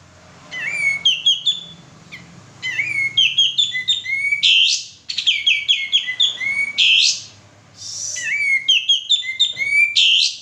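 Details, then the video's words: Male sooty-headed bulbul, used as a lure to provoke singing, delivers four bright phrases of quick whistled notes climbing and slurring, each closed by a harsh buzzy note, separated by brief silences; the background is quiet. "suara pancingan burung kapas tembak jantan gacor"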